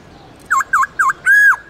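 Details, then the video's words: White-cheeked laughingthrush from Vietnam's Central Highlands singing its wild-style song, played for training captive birds: three quick, clear whistled notes, each dipping and rising, followed by a longer sustained whistle, loud against a quiet background. "Luyện khướu bạc má Hót Giọng Rừng kích khướu hót cực sung/khướu Tây Nguyên hót giọng rừng âm dài rõ"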